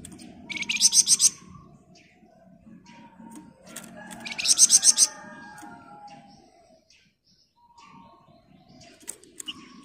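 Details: Master recording of a flamboyan bird singing ngebren rapat: two bright bursts of quick, buzzy, high pulsed notes roughly three seconds apart, then quieter scattered ticks and faint chatter.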